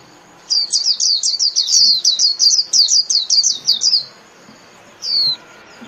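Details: High twittering song of a Japanese white-eye calling the flock, a rapid string of descending chirps over about three and a half seconds, then a pause and one lone downslurred note.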